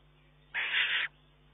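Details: Young Eurasian eagle-owl, long able to feed itself, begging from its mother on 19 June 2011: a single harsh, hissing screech lasting about half a second over a faint steady hum.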